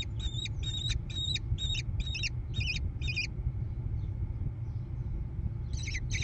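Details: American kestrel chicks in a gravel nest box on a barn near Prairie du Chien, Wisconsin, USA, 14 June 2022, via nest cam: seven clipped raspy screeches, a long stretch of low hum, then one last screech at the end.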